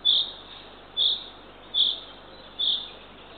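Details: A Eurasian eagle-owl owlet, third chick, fed by the female at 6:21 am on 3 June 2023 at a nest-camera site in Northern Estonia. Four loud, high hissing notes sound at steady intervals under a second apart.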